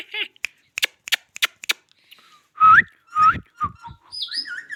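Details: Indian ringneck parakeet talking indoors: a string of short clipped speech-like syllables, then loud rising whistled notes and bending warbled whistles in a small room.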